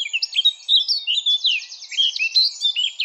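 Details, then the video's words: Eurasian blackcap in full song: a continuous rich fluty warble of clear whistled notes and rapid flourishes, loud and unbroken, with no other sounds. "Blackcap Bird Song"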